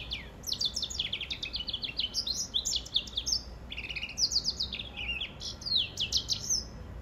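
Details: A hybrid of the yellow-fronted canary (Serinus mozambicus), a singing-finch mule, sings a fast, unbroken twitter of high chirps and quick trills, its phrases running together over a faint low hum.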